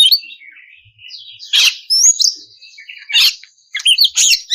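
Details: Oriental magpie-robin (kacer) singing in the loud ngeplong style, used as a lure to make other magpie-robins answer and sing: bright varied whistles and slurred high notes, broken by short bursts of harsh buzzy phrases.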